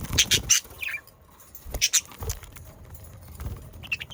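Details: Budgerigar sounds from South Holland, Netherlands, played to get pet budgerigars singing: bursts of high, noisy chatter and short warbled chirps, then a quieter stretch with a few faint notes at the end.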